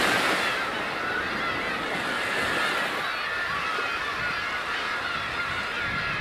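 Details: Many black-tailed gulls at Kabushima, Japan, in winter on New Year's Day 2015: a constant wash of crowded, overlapping mewing cries, slightly louder at the start, set against steady surf and wind noise.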